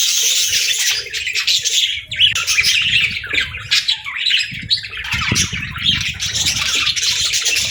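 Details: Flock of budgerigars chirping, offered as soothing company for lonely parakeets: continuous excited warbling chatter mixed with sharp squawks and quick twitters, rising and falling in bursts.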